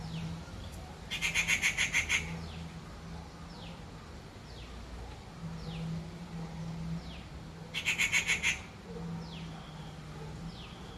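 Rufous treepie gives two harsh, grating screeches about six seconds apart, with faint, thin downslurred whistles in between and a steady low hum.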